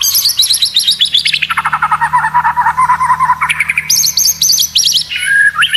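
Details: Murai batu masteran with unusual sounds for competition: fast rattling trills drop from high to lower pitch, then jump back up to a high stuttering trill and a brief whistled ending, over a low hum.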